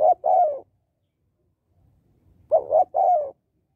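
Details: Female spotted dove calling to stimulate males, giving two three-part coo phrases: two short rounded notes, then a longer falling coo. The phrases are separated by about two seconds of near silence.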